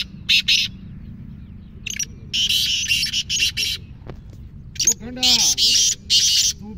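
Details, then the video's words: Black francolin from Sindh, described as rare, delivering rasping, scratchy notes in uneven runs, longer grating phrases toward the end, with a soft wavering voice-like sound in the middle and low background hum. "Ye hai Sindh ky nayaab kaaly teetar 🥀 Kala teetar calling Kala teetar voice black francolin voice"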